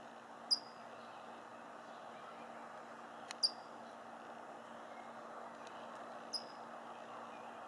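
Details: California towhee near the Suisun marsh in Fairfield, California, filmed on a Panasonic V500 camcorder: three sharp, high, metallic chip notes, each dropping slightly in pitch, spaced roughly three seconds apart over steady soft background hiss.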